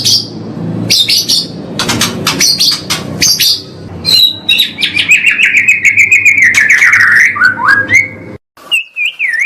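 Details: Caged white-rumped shama training master: a varied song of sharp clicks and chips, then a quick series of notes building into a warbled, wavering whistle, ending with short separate whistles.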